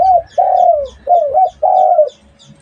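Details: Four hollow dove coos, the long ones gently falling at the end and one with a small rising kink, delivered quickly and close up.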